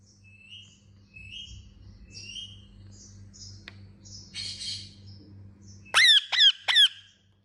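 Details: Indian ringneck parakeet chirping: soft, high chirps scattered over several seconds, then three loud, sharp, harmonically rich chirps in quick succession near the end, over a steady low hum.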